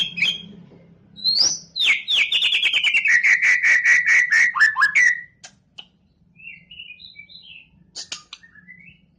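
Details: Champion competition white-rumped shama in full song: a sharp rising whistle, then a rapid run of about twenty clear, even notes sliding gently downward, ending in a few scattered soft chirps.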